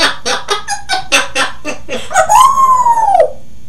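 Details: Grey parrot imitating a human voice, with a run of rhythmic voice-like laughing syllables ending in a drawn-out rising and falling wail, over steady low background hum.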